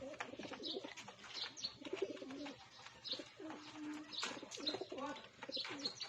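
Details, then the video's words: Pigeons gathered for feeding produce overlapping deep, bubbling coos almost continuously, with one long, steady hum-like note near the middle and sharp wingbeats and pecking clicks throughout. "Samahan Nyo po ako mag pagkain ng mga kalapati"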